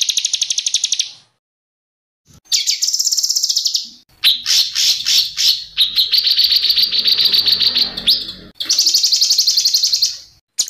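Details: Agitated white-rumped shama song: spliced bursts of fast high trills, a long, dense, slightly wavering trill in the middle, and a final rapid trill with brief silent gaps between sections.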